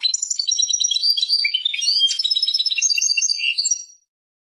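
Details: European goldfinch, described as Persian, singing a fast, continuous twittering song of bright, buzzy and tinkling notes that switch rapidly in pitch for about four seconds before stopping.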